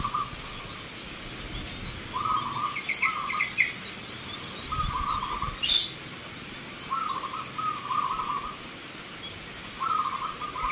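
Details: Local zebra doves (perkutut) at a Nglagu Ngepat Mentaraman song contest, GBPH Yudaningrat Cup 3, Yogyakarta, Indonesia, Sunday 19 November 2023. Low rolling cooing phrases repeat every few seconds, separated by pauses, with a brief sharp noise midway.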